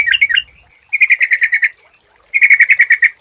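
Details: Sooty-headed bulbul as a lure: a few chattering notes, then two rapid runs of about eight bright, evenly repeated chirps each, separated by a short pause.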